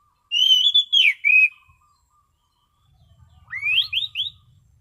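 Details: Clear, calm ngeplong singing by an Orange-sided thrush: a phrase of three wavering whistles, a pause, then three quick rising slurred whistles, with a faint low rumble in the background.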